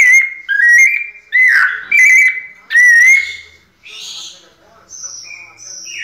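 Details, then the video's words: White-necked thrush kept in captivity sings pianado-style. Four loud, fluty whistled phrases with slurred notes come first, then softer, higher thin notes trail off toward the end. "Sabiá coleira "Sol" nunca vi pianado tão perfeito!"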